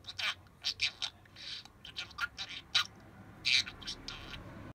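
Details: Pet parakeet chattering mimicked words in an uneven string of high, raspy syllables, roughly one every second, with a faint low hum underneath.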